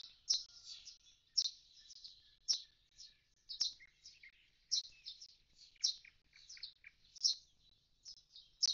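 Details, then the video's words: Common starling beside an emptied nest box after fledging: sharp clicks roughly every second woven through a continuous high twittering chatter. "Скворец - скучает у пустого скворечника. Улетели дети."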